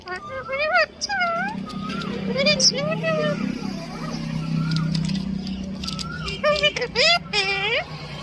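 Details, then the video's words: Pet parrot calling mummy, voicing quick runs of high, bending speech-like syllables at the start and end, with a steady low hum and background noise in between. "parrot calling mummy"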